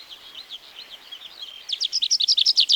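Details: Tree Pipit in Wielkopolska National Park forest, Poland, 1990 recording: soft, buzzy, wavering notes give way to a sudden, loud, fast sequence of bright repeated chirps.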